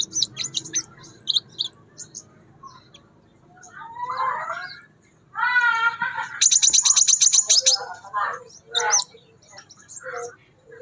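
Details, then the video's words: Wild crimson sunbird in lively song: high thin chips and a fast, bright trill of rapid notes, alongside lower warbled, wavering phrases and scattered short notes, with a faint low background hum. "BURUNG SEPAH RAJA GACOR DI ALAM"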